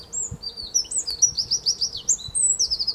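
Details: Winterkoning, or Eurasian wren, recorded 5 March 2015 at De Kleuter, Uden, delivering a brisk, high-pitched song of rapid trills and sharp, quickly repeated notes throughout, with faint low background noise.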